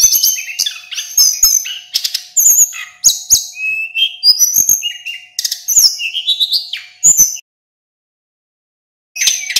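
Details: Male local mountain sulingan (Little Pied Flycatcher) in full nonstop song, a tutoring recording for other caged songbirds: fast jumbled high whistles, trills and buzzy slurred notes pouring out for seven seconds, then a brief pause before singing resumes. Faint steady hum underneath.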